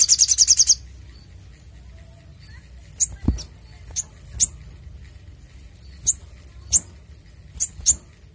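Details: Brown-throated sunbird, clear lively song used as lure and training material: opens with a brief fast rattle of high notes, followed by spaced sharp chips every second or so over low background rumble.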